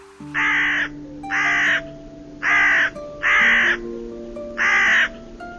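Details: Five evenly spaced hoarse crow caws, roughly one per second, each a rough, flat-toned burst, with soft background music.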